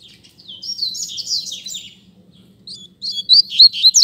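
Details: Double-collared seedeater in a singing contest between two captive birds, used as a tutor song for learning: rapid, warbled high twittering phrases, a burst near the start, a pause, then louder sharp chirps returning at the end.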